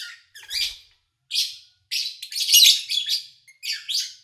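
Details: Lovebirds recorded cleanly in August 2019 while their owner travelled, so little engine noise: irregular harsh, squawky chirps with short gaps, growing louder and denser toward the middle, then scattered buzzy notes.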